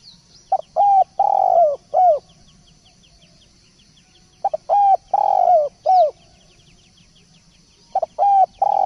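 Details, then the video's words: Energetic spotted dove song: three mellow coo phrases, each a short stutter note, two sustained coos and a falling final note, spaced about three to four seconds apart, with faint high chirps and a low hum. "Masteran Derkuku / Tekukur gacor"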